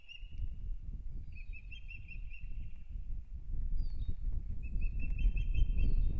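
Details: Osprey in Kurzeme, Latvia, at the nest as the April 2022 breeding season begins: short runs of piping whistled notes with slight pauses between, against steady low wind noise.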